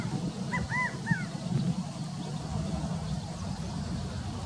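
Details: A male California Quail at Mather Lake gives one quick three-note "chi-ca-go" call, slurred and arching, in the first second, over a steady low rumble of wind or distant traffic.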